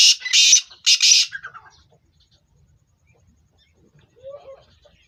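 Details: A captive black francolin readying females for breeding gives two loud, harsh, grating bursts a half-second apart, then near silence with a faint low note.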